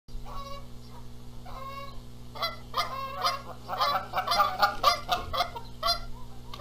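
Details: Canada geese at a nest in Charlo, Montana, on 14 April 2022, squabbling over who gets to sit on the eggs while the gander flies in and adds noise: a few spaced nasal honks, then a burst of rapid, overlapping loud honking with a steady low hum.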